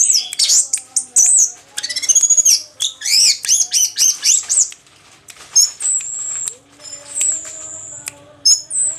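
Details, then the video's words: After moulting, an orange-headed thrush pours out quick twittering phrases and rising-falling whistles, then shifts to long thin sustained high whistles separated by brief gaps. "Anis merah Si petir pasca mabung"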